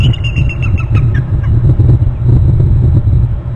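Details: Two bald eagles calling in their nest territory on Hornby Island, one eagle flying in to a lower branch; a quick series of thin, high piping notes, stepping slightly downward within the first second, over a heavy, constant low rumble.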